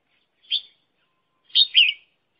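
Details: Red-whiskered bulbul kept as a trapping decoy gives a brief chirp followed about a second later by a louder two-part warbled phrase, clean with no other sounds.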